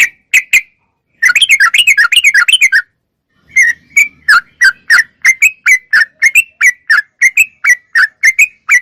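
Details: Sooty-headed bulbul in full song, offered as training audio for cage birds: a few sharp chirps, a rapid run of swooping notes, a pause, then a long steady series of short whistled notes about three per second.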